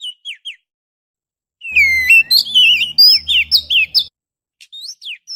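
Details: Lure song of an Oriental magpie-robin, meant to draw in other birds, recorded on a GoPro Hero: a few short downslurred whistles, then a dense run of bright warbled and twisting notes, with faint low hum beneath.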